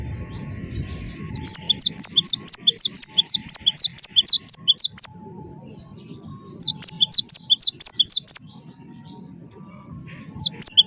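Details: Java sparrow, locally gelatik batu wingko, singing as a lure to set other birds singing: two long runs of rapid high chirps about two per second, separated by a quiet gap with faint steady tones and low hum.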